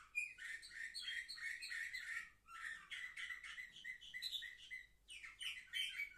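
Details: Young canaries seven months old, recorded 10 November 2023, pour out continuous loud warbling: fast trills, chattering chirps and rising notes in three long phrases with short breaks.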